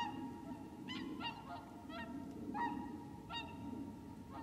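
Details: Whooper swans wintering at Lac du Der in Champagne, France, on 30 January: scattered short bugling honks, about six in four seconds, over a steady low background rumble.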